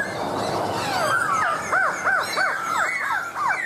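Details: Laughingthrush delivering a string of arched, clear whistled notes repeated about three times a second after a noisy start, each note rising then falling, with a faint hum underneath.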